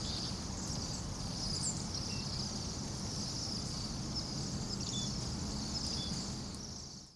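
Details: Bohemian waxwing flock of about 200 to 300 birds in Anchorage at minus 8 °F: unbroken high buzzy trilling from many birds at once, over deep traffic rumble, fading out abruptly at the end.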